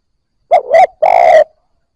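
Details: Single cooing phrase of a newly caught Spotted Dove, used to rouse fresh captives to coo: two short mellow coos, then a longer, slightly trilled croo fading at the end.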